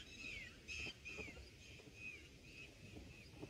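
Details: Red bulbul nestlings at the nest on day one, being fed black berries and a fluffy moth by an adult; thin, down-slurred whistled notes come in quick succession, roughly twice a second, over a soft rustling background.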